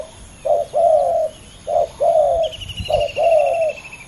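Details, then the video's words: A male spotted dove, one of a fierce pair, coos in soft, low phrases, each a short note then a longer one. The phrase repeats three times, with a faint high trill behind it. "ต่อดินนกเขาใหญ่ ดุเดือดคู่นี้!!"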